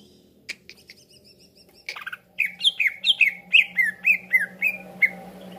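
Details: Green leafbird (cucak ijo) calling as a lure to trap other leafbirds: faint thin notes give way to a steady series of loud downslurred whistles, about two per second, over a low steady hum.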